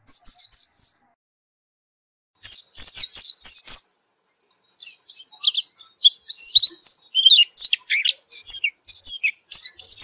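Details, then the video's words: After therapy, a white-eye sings nonstop: a short run of high descending notes, a pause of over a second, then a dense, rapid twitter of quick high chirps, slurs and sweeps that fills the rest of the clip. "Gila nie pleci setelah diterapi gacor terus"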